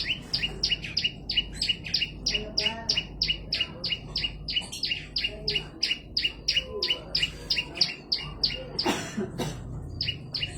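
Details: Olive-backed tailorbird singing actively, recorded as a tutor track for training songbirds: loud, sharp, high notes repeated steadily about three times a second throughout, with a low background hum and a brief rustle near the end.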